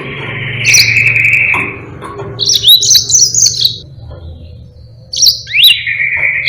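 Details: Yellow-fronted canary song, a long continuous performance used as a tutor for training other birds: a sustained buzzy trill, then bright whistled notes sliding upward and a further trill after a pause, over a low background hum.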